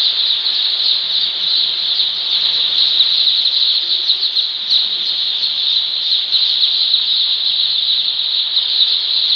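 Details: Baby chickens right after hatching, first brooding day on a poultry farm: a long, steady chorus of thin, high peeps from many chicks, with louder individual chirps rising and falling through it.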